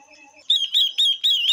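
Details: Female Chinese hwamei song used to rouse males: four bright, loud whistled notes, each rising then falling, following a soft low hum of repeated tones.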